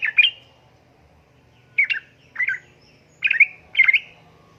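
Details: Calling to a male, a female sooty-headed bulbul utters loud, close, bubbly chattering bursts, five phrases over a few seconds with short silent gaps between them.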